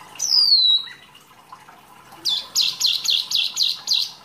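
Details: Wambi singing rich masteran material: a long, high whistle gliding downward, a pause, then seven rapid, shrill, bouncing notes repeated about three times a second.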